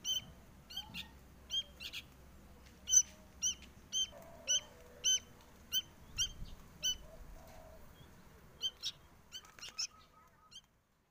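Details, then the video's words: A sooty-headed bulbul chick asks to be fed with short, bright, nasal chips at uneven intervals, about every half second to second, fading and pausing near the end over soft background noise. "Anak kutilang minta loloh"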